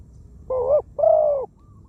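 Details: One coo phrase from a spotted dove kept as a ground decoy: a brief bent double note, then a longer steady rolling croo, clear against soft low-frequency background.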